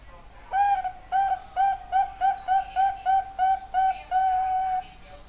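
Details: Perkutut, or zebra dove, delivering a rhythmic run of about a dozen pure, fluty notes, evenly spaced and steady in pitch, ending in a longer sustained hoot. Faint higher sounds sit in the background.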